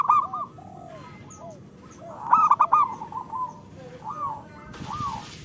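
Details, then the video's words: Zebra dove, local Indonesian type, song meant to get idle birds singing; soft trills and low coos from more than one bird, a loud stuttered phrase midway, then separate rounded coos and a burst of noise. "Perkutut lokal gacor Pancingan Jitu 💯% Ampuh"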